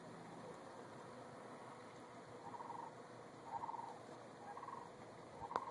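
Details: Wild turkeys in Sheridan, Wyoming give short, rapid burbling bursts about once a second, rather faint over a steady background hiss.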